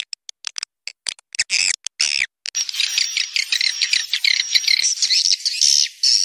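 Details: Call used to attract swiftlets, with wing flapping: scattered sharp clicks at first, then a steady run of high buzzy twitters and thin whistled notes, about 140 a minute.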